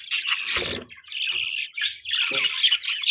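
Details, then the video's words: Budgerigar parents feeding their baby in the morning, giving harsh squawks and bright chirps in bursts, a brief noisy scratch near the start and another near the end. "Beautiful Budgies Chirping Sounds"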